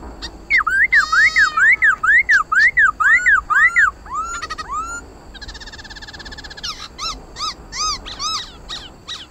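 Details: Khướu mun laughingthrush singing in fighting style, used to spur kept birds: a fast run of arched whistles about twice per second, then varied slurs, a buzzy stretch and bright, clipped repeated notes.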